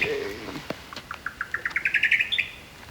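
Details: A Buff-collared Nightjar at night in southeastern Arizona gives a quickening run of about a dozen clipped notes climbing in pitch to a higher drawn-out note, after a brief murmur.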